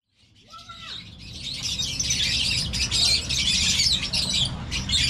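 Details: A large parrot flock at a zoo keeps up dense, high, screechy chatter that overlaps without pause, over a low background rumble.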